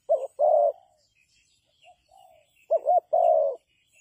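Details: Spotted dove calling as a trapping decoy: two low coo phrases, each a quick wavering double note then a long steady coo, separated by a pause with a few soft notes and faint distant chirping.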